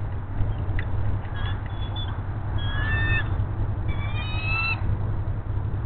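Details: Female bald eagle at Hays on an eagle nest camera, calling as her mate delivers a fish: a few clear, high whistled notes with squeaky overtones, mainly near the middle and end, over a constant low hum.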